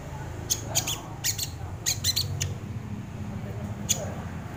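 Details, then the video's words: Sogon bird, recorded as a lure for training birds, giving quick clusters of thin, piercing high chips and ticks over a constant low background hum. "SUARA BURUNG SOGON UNTUK PANCINGAN ATAU MASTERAN // SUARA PIKAT BURUNG SOGON"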